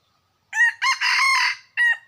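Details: Loud crowing by a red junglefowl, recorded in 2021: four harsh harmonic syllables, two short opening notes and a drawn-out middle, ending in a brief downward-tailing note. Quiet surroundings.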